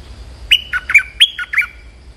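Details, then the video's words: Stripe-throated bulbul, a lure call used to call out a territorial resident bird: a quick series of six bubbly, liquid chirped notes alternating higher and lower, over about a second. "เสียงนกดอกแตงEp.188 จ้าวขุนศึก ร้องเรียกเจ้าถิ่น Suara pikat merbah lekir gacor"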